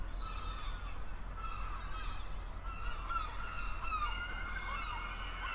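Several gulls give nasal, harmonic mewing calls that overlap one another, some drawn out and others short, over a steady low rumble of wind or surf.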